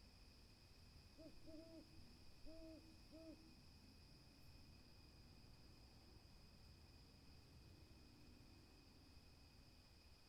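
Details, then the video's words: Hooting owl: two brief clusters of short, rounded hoots around the second and third seconds, followed by a long stretch of near silence with only a steady high whine and faint low rumble. "Owl Hooting"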